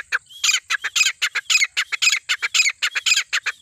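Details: Jungle partridge giving a fast series of rough, chattering squawks, nearly two per second and fairly even, over a steady high-pitched background tone.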